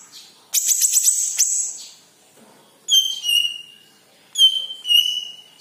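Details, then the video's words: Leafbird (cucak ijo kepala kuning) song used as a lure for other birds: a shrill buzzy trill opens, then after a pause two clear whistled phrases dropping from a high note to a steady tone. "KICAU BURUNG CUCAK IJO KEPALA KUNING"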